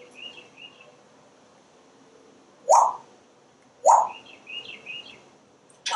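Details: Pet parrot on a screened back porch, watching squirrels and birds outdoors, giving two sharp, loud downward squawk-like syllables about a second apart, while small wild birds chirp softly in the background.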